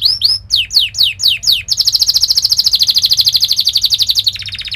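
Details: Canary song used to train young canaries: a few upslurred whistles, a run of looping downslurred notes, then a long fast rattling trill that drops lower at the end.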